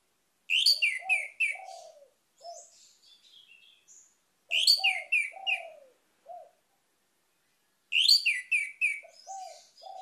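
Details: Orange-headed thrush lure song: a bright phrase of sharp descending whistles over soft lower slurred notes, repeated three times at roughly four-second intervals, each followed by quieter twittering.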